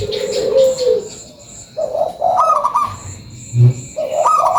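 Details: Local zebra dove lure song: a falling coo, a pause, then stuttering higher cooing notes, with a dull low thump and faint high chirps in the background.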